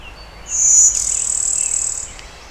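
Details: Hybrid Brewster's warbler singing Blue-winged warbler style at Oil Creek State Park, Pennsylvania, on a cloudy 20 May 2011, external stereo microphone: a short high insect-like buzz followed at once by a longer, slightly lower rasping buzz.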